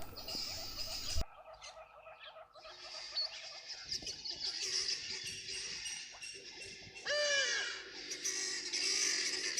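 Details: A flock of helmeted guineafowl at a waterhole gives harsh, grating, rapidly repeated alarm chatter at a bathing African hawk-eagle, a predator, many birds overlapping; a brief musical tone opens the recording.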